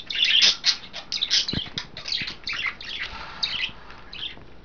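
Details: Indoor pet budgies splashing during a bath, giving a near-continuous stream of rapid, raspy chirps and chattering warbles, loudest at the start, with a few soft knocks underneath.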